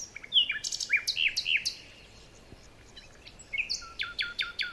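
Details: Forest birds in the morning: a fast series of sharp, downward-slurred chirps, roughly two per second, then a short pause before another bird answers with clipped, buzzy high notes repeated rapidly against faint hiss.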